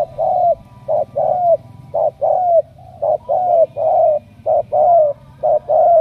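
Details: Ca Mau spotted dove, selected as a strong-cooing 'đồng' bird, cooing steadily: about seven rhythmic phrases of a clipped note and a longer falling coo, roughly one phrase per second.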